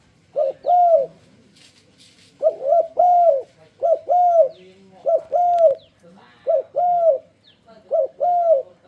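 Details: Spotted dove enticing others to sing along: a run of about six soft cooing phrases, each a quick two-note start and a long rounded coo, delivered steadily with brief gaps.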